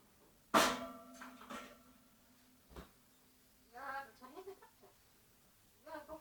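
An African grey parrot gives a sharp, sudden click, then two short bursts of rough, speech-like chatter with a low hum underneath.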